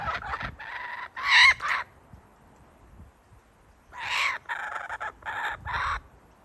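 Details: Kookaburra father teasing his chick with food before feeding it: two clusters of harsh, rasping, broadband bursts, three short ones at the start, then a louder run of four about four seconds in, with quiet gaps between.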